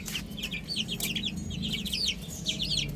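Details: Young chickens peep in quick bursts, clear high notes that slide down in pitch, grouped in short runs with brief gaps, over low background murmur.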